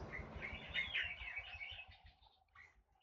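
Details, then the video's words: Forest oriole, known as kepodang hutan: a rapid, bright chatter of warbled notes lasting nearly two seconds, then a short pause and one brief call. "Bird Calls to Relax forest oriole Kepodang hutan"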